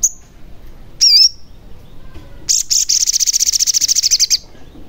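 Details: Sogon song meant to prompt a caged, reluctant, or newly caught bird to sing and to lure others closer: a short high whistle, a wavering squeaky note, then a fast high-pitched trill of rapid, evenly spaced pulses lasting about two seconds.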